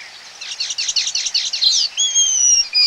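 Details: Baya weaver calling close up at a colony: a fast, loud series of rhythmic chirps lasting nearly two seconds, then drawn-out, level, whistled tones.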